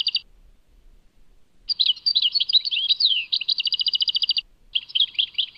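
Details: Tadmait goldfinch song, European goldfinch: after a short opening note and a pause, it delivers a bubbling twitter with a downslurred whistle. A fast, steady trill follows, then after a brief break a new twittering phrase begins.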